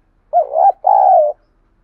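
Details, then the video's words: Single low, breathy two-part coo from a spotted dove, a call for getting wild doves to answer: a wavering opening note, a brief gap, then a longer even coo. "Tiếng chim cu gáy thúc đấu cực đỉnh"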